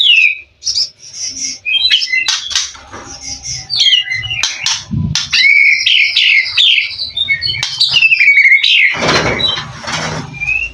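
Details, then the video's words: White-rumped shama of a mutant colour form, a competition bird, pours out a rich mimicking song: rapid whistled and scratchy phrases, sharp chips and a burst of harsh noisy notes near the end, with soft low thumps beneath. "Burung murai batu mutasi isian lomba mental fighter"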